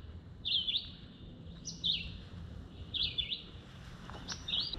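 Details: Red-eyed Vireo in Summerville, South Carolina, heard while birding by bike: four short, high, slurred song phrases, each separated by a pause of about a second, over a low background hum.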